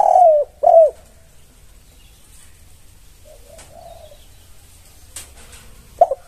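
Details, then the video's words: Spotted dove (tekukur) masteran song, used to get other doves to respond. Two strong, round coos open the clip, followed by a long quiet stretch with a faint, far coo and a brief clipped coo at the end. "MASTERAN 2024 Sudah terbukti semua tekukur langsung NYAUT"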